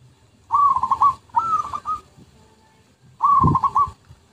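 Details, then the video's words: Zebra dove song for luring: three pulsed phrases, a rising coo followed by rapid rhythmic stutters, the first two close together and the third after a pause, with a low thump in the last. "MP3 Pikat Merbuk/Perkutut"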